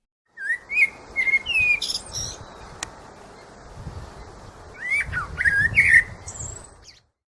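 A blackbird sings two short bursts of mellow, warbling phrases around the middle pitch, each ending in thin, high twittering notes, with a soft background hiss.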